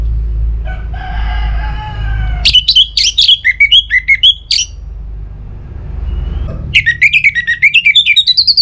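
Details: Orange-headed thrush song used to coax other birds into singing, northern Bali: a faint harmonic note, then long runs of rapid, clipped whistled notes that wander up and down, a second burst climbing at the end.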